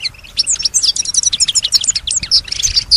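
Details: European goldfinch kept at home, known here for imitating surrounding sounds; a brisk, tinkling stream of high chirps and slurred whistled notes in quick succession.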